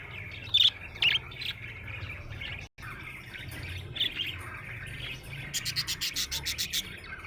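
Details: Happy budgerigar chirping: a steady chattering warble runs throughout, with a few sharp high chirps near the start and a fast run of clipped repeated notes in the last two seconds.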